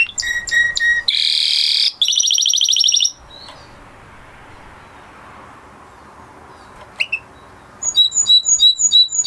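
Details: A blue Spanish Timbrado canary sings bursts of song: rapid repeated metallic notes, then a dense buzzy rolling trill and a high chattering roll, followed by a quiet pause before crisp repeated chirping notes resume.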